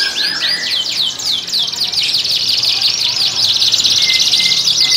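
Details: Canary breeding song from a Klaten, Indonesia breeding room, meant to bring females into condition. High chattering notes build into a loud, fast, continuous trill, with overlapping singers.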